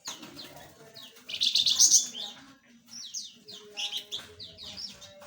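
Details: Mixed small birds kept in an aviary call with a loud buzzy rattling burst, then a run of quick high downslurred chirps from several individuals.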